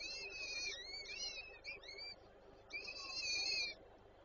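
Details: Peregrine falcons at a nest in Warszawa Żerań, Poland, on 8 May 2023, as the female feeds the chicks: drawn-out wheezy, harmonic-rich whistles, some sliding up and down, in two bursts over a steady background hiss.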